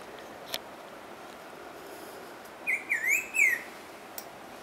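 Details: Black-throated grosbeak (Saltator fuliginosus) singing a short phrase of four clear whistled notes, alternately rising and falling, over a steady hiss of background noise with a few faint clicks.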